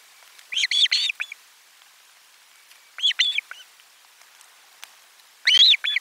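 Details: Osprey at its nest around lunchtime during a fish delivery, 12 July 2022: loud, high, harmonic whistled calls given in three short clustered bursts, each a rapid run of piping notes, with quiet gaps between them.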